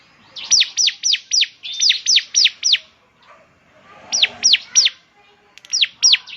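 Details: Bar-winged prinia song, semi-fluent singer, played as a lure to get a caged bird singing; sharp, high, downward-sweeping chirps at about three per second, delivered in bursts of four to eight with short pauses between.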